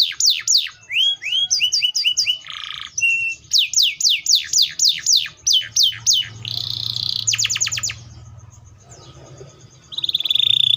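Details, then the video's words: Canary in full song: repeated falling notes and chirps, a brief buzz, a long run of rapid downward sweeps, then a buzzy trill and a quieter low hum before a final whistle. "THE VOICE OF THE CANARIA SERINUS"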